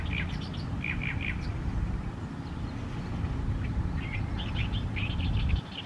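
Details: Song of an Oriental reed warbler recorded in May 2022 in Nishi Ward, Fukuoka, Japan: bursts of rasping, chattering syllables repeated in quick groups, pausing midway and resuming, with constant low rumbling noise underneath.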